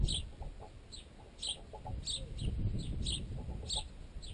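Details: Adult and juvenile sparrows eat a piece of baguette caught in a tent guy line. A run of brief, high-pitched chirps repeats about twice a second, with soft pecking taps over a deep, steady rumble.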